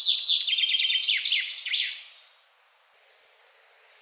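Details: A male Common Chaffinch (Fringilla coelebs), one of several males sampled, sings a quick, bright, descending run of high notes that speeds up and ends in a short flourish, then goes quiet.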